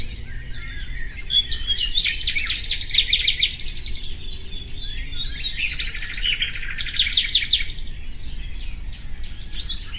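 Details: Common nightingale giving loud rattling trills and rich chattering passages, with softer whistled notes between, over a faint low hum.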